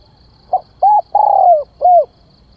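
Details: Calling spotted dove used to lure birds: one phrase of a soft short note, a rounded coo, a long falling coo and a final dropping coo, against a quiet background.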